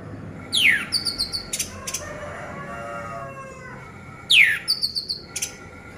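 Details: Orange-headed thrush singing, used as a lure to make quiet birds sing: two loud descending whistled sweeps, each followed by short, thin, ticking notes, over a soft background hum.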